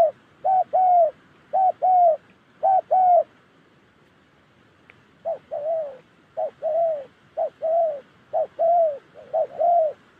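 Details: Spotted dove from Gia Lai in Vietnam's Central Highlands, of the Đồng Ngực Chẻ type, coos in paired short-long notes. A two-second silence falls in the middle before the rhythmic pairs resume.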